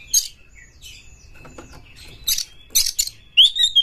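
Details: Oriental magpie-robin (kacer) singing as a lure to provoke a rival to fight: sparse sharp chirps and harsh buzzy bursts, then a loud rising-falling whistle near the end, with a thin steady whistle underneath.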